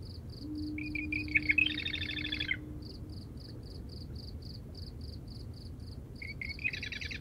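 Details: Marsh wren singing at night from cattails at the edge of a salt marsh: short reedy, gurgling bursts ending in a rattling chatter, with a cricket's steady high pulse and a distant foghorn drone.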